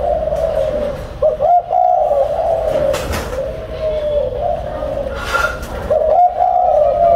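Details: Breeding pair of spotted doves indoors: low, steady, drawn-out cooing with slight wavering rises, continuing almost without a break, over roomy background noise and occasional rustling thumps.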